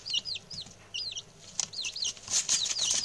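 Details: A group of six young male chicks, newly settled in, utters bright downward-sliding peeps in small bursts, with scuffling and a brief flutter of movement.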